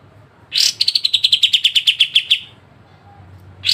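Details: Sharp 'besetan' phrase from a pied triller meant for tutoring songbirds: a harsh rasping onset followed by a quick run of about a dozen bright chip notes, gently falling in pitch, then quiet.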